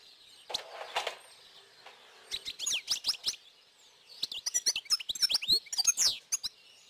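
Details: European goldfinch (Carduelis carduelis), song.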